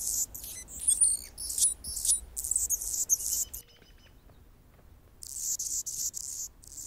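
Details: An Anna's hummingbird male holds his territory as a female feeds a baby in the nest; rapid scratchy buzzes with squeaky accents fill three seconds, a quiet pause with faint ticks follows, then the buzzing resumes.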